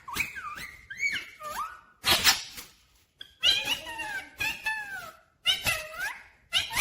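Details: Pet Rose-ringed parakeet that talks and is said to say 'mummy papa' utters looping, wavering, voice-like phrases mixed with loud harsh squawk bursts, several bouts separated by brief silences, indoors.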